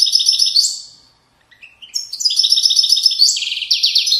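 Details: Widani-style song of a European goldfinch from the valley banks of Morocco. A bright tinkling trill breaks off briefly, then resumes with rapid twittering, chattering strings of notes, and a dense buzzy ending.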